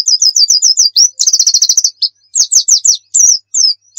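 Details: Pleci dakun white-eye from Pacitan pouring out a fast high song: a run of rapid repeated notes, a tighter trill, then spaced slurred chirps and a final falling note.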